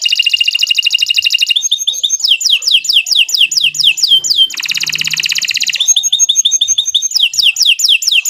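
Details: Canary song for training other birds: a fast metallic trill, a run of crisp downward-sweeping notes, a second broad buzzy trill, then more sweeping repeated phrases, loud and unbroken.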